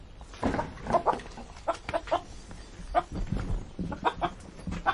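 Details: Chickens at feed: rapid, irregular pecking knocks and scratching, with brief soft chirping clucks slipped in between.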